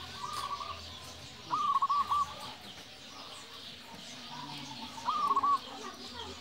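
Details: Local zebra dove's 'nembak' song, used to provoke and lure other doves: two short bursts of quick trilled cooing notes separated by a few seconds of quieter background calling and hiss.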